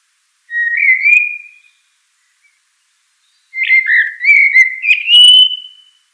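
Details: Common blackbird singing: two clear, fluty whistled phrases, the first short and slightly rising, the second longer, warbling and ending on a sustained high note, with a quiet pause between them and no other sounds.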